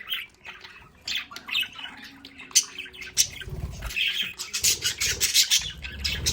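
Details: Home-kept budgerigars at their play area chatter with rapid, scratchy chirps and short squawks, growing busier and louder toward the end, with faint low knocking noises.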